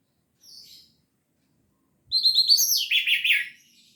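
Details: Orange-headed thrush singing in the gacor teler style, full of varied material: a faint high note, a pause, then a loud rush of quick, overlapping, downward-slurred whistled and twittering phrases lasting about a second and a half.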